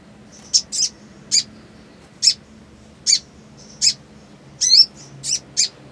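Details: Black sunbird (sogon), a bird in breeding condition singing hard: sharp high chips repeated irregularly, some doubled, plus one twisting buzzy note toward the end.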